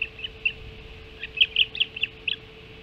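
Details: Ospreys at a nest on Hog Island during an early-morning feeding, 05.20 on 7 July 2016; a string of short, sharp chirps close together, with a steady electrical hum underneath.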